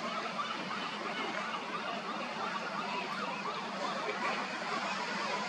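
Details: Common murres at a crowded nesting colony, shared with Brandt's cormorants, on the Oregon coast in July 2022: a steady roar of low, growling, laughing calls that overlap without pause.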